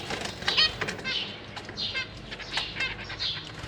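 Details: Recently fledged zebra finch babies, just out of the nest and fed by busy parents while practising flying in a big cage, give rapid, harsh, high buzzy begging calls in quick bursts, with soft wing flutters and rustling between them.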